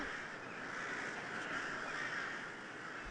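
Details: A huge winter flock of about 55,000 crows arriving at dusk to roost at Taehwa River, Ulsan, caws at once, harsh calls blending into a dense, steady roar with no single voice standing out.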